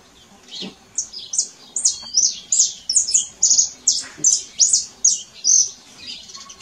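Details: Canary singing in the wild: a steady series of sharp, high, chirpy notes, each short phrase repeated roughly twice a second for several seconds.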